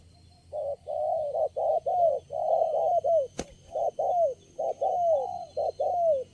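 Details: Spotted dove, a lone wild bird strongly responding to lure birds at a trapping site, gives a steady series of hollow, low coos, short notes and longer falling ones in rhythmic phrases, interrupted once by a sharp click.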